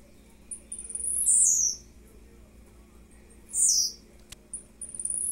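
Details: Blue-black grassquit, 30 May, mid-morning at 10:50: two loud, high, buzzy downslurred phrases about two seconds apart, with softer high twitters between them and a click.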